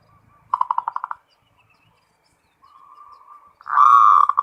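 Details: Zebra dove, local type, singing the 'ngerot' style: a quick series of staccato pulsed coos, a pause, a soft sustained purring tone, then a loud drawn-out rolling coo.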